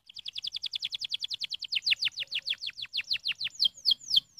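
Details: Canary song used to stimulate young birds: a fast rapid trill of repeated descending whistled notes, about 30 in under two seconds, then slower, louder downward-sweeping notes ending in sharp high chips.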